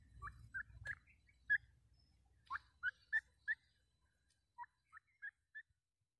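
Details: Against a quiet background, a grey francolin utters clean, sharply rising whistled notes in spaced groups of three or four, the last group softer and slower.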